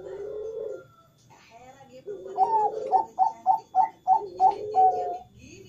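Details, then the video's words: Zebra dove of the Bangkok strain cooing non-stop in the morning: a low wavering tone, then a quick run of about eight short clipped notes, roughly three per second, closing on a longer held note, over a faint low background hum. "Perkutut Bangkok Gacor ga Berhenti Berbunyi"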